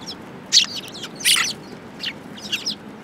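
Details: Flock of sparrows gathering at food at a Tenmangu shrine on 22 January 2018. Scattered sharp chirps and twittering notes come in uneven bursts, the loudest two close together early on, followed by softer repeated chirps.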